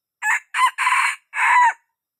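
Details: Lure crow of a young red junglefowl: short opening note, a second short note, a drawn-out loud middle section, then a final note ending in a downward slur. Nothing else audible.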